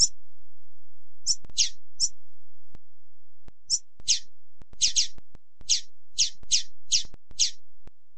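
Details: Female double-collared seedeater calls, used to stimulate males: short, high, slightly downslurred chips given singly or in quick pairs, about one to two per second, with faint low clicks and knocks underneath.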